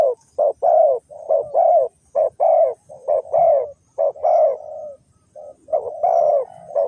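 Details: A spotted dove (Spilopelia chinensis) gives soft, mellow cooing in short runs of hollow notes, about one per second, with brief pauses between phrases; no other sounds stand out.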